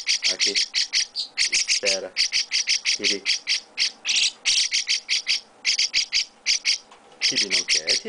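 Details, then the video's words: Chestnut-cheeked starling chicks at hand-feeding give a dense, nearly unbroken sequence of buzzy, scratchy chirps, several per second, with short snatches of Portuguese speech underneath. "Chestnut-Cheeked Starling baby mukudori carinho"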